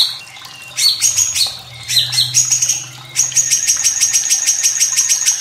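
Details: White-rumped shama song over trickling water, meant to stimulate young birds to sing: loud varied notes that swoop and dip in pitch, followed by a long fast train of sharp high chips, with a low hum underneath.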